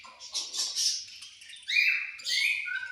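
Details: Budgies at food time giving a busy flock chatter, grating buzzy notes followed by clear upward-sweeping whistles, with a low background hum.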